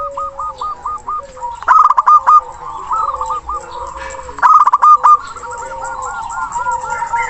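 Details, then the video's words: Local zebra dove with a big voice and long-breathed song, calling a rival: loud bursts of rapid staccato cooing notes twice in the clip, between softer repeated hooked coos from other doves in the background. "Perkutut Lokal Gacor Suara besar Nafas Tua memanggil Lawan"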